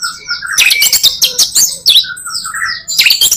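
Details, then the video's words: White-rumped shama giving full song meant to lure other shamas: soft whistles, then loud harsh scratchy chattering bursts and high piping notes, ending in another harsh burst. "Murai batu full materi,cocok buat pancingan murai batu lainnya"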